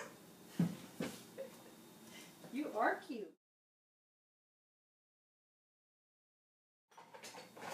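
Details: An African grey parrot named Gus mimics human speech in short voiced phrases with rising, sweeping tones, then falls silent for several seconds before faint room noise returns; he sings Hallelujah, asks for cheese.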